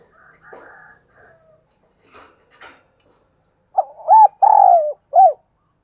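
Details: Spotted dove kept as a decoy, calling in the morning to prompt other doves to coo; soft twittering from other birds first, then one loud phrase of hooked coos, a long drawn note and a closing coo.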